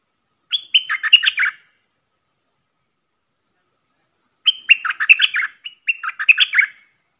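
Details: Caged red-whiskered bulbul decoy singing phrases used to teach young birds and lure wild ones: two bursts of rich, rapid warbled whistles, each about a second long, the second phrase repeated twice in quick succession after a pause.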